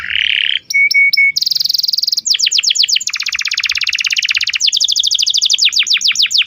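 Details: Lure song of a canary for a young learner: a buzzy note, clipped whistles, a high trill, then long fast rolling trills and a string of falling sweeping notes.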